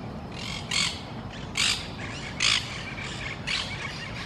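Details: A Eurasian jay, described as happy and fighting, gives four harsh, rasping screeches, each short and broad, spaced about a second apart over a low background hiss.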